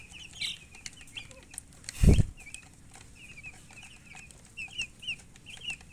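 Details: Chicks giving short, high peeps in small runs, with a loud low thump about a third of the way through, then evenly spaced double cheeps toward the end.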